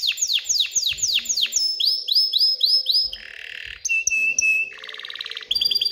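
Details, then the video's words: Canary singing excitedly to stimulate females to mate and nest: loud repeated downslurred whistles, bouncing looped phrases, a buzzy tour, a held pure whistle and a quick trill. "تغريد كناري هائج لتحفيز الاناث على التزاوح وبناء العش"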